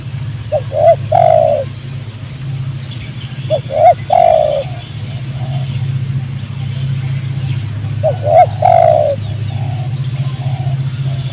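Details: Spotted dove at a trapping site in a rubber plantation near homes, a wild bird reacting to a decoy's calls. Three spaced phrases of hooked coos ending in a longer falling note, over a low hum with a few clicks.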